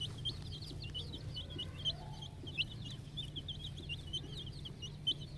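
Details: Ten-day-old poultry-farm naked neck chicks chirp almost nonstop, their high, wavering peeps rising and dipping in clusters, with a few louder accented notes over a soft steady hum.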